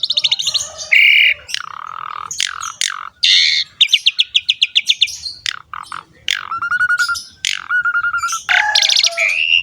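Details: Asian pied starling song used to coax young birds into song: rasping buzzes, clicking trills, falling whistles and a repeated flat whistled phrase, varied and energetic with faint low rumble.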